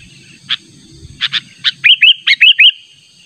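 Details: Sooty-headed bulbul lure call insistently challenging a rival: a few spaced sharp chips, then a quick run of bright, bouncy, warbled notes, with soft low rumble beneath.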